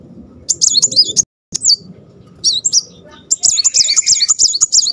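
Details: Muncang sunbird, a sunbird kept for birdsong, delivering tembakan roll rapet song: rapid runs of high, wavering, zigzag whistles, about three notes a second, broken by a brief gap, with low hum beneath.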